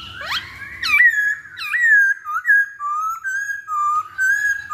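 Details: Masked laughingthrush song as a lure for singing birds: strong, pure whistles that swoop up and down, followed by a string of level and gently wavering whistled notes separated by short gaps.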